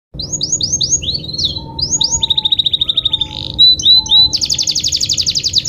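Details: Pet canary song used as a lure to get other canaries singing: a fast, varied medley of high sweeping whistles, rapid buzzy trills and a very high rattling run, over a steady low hum.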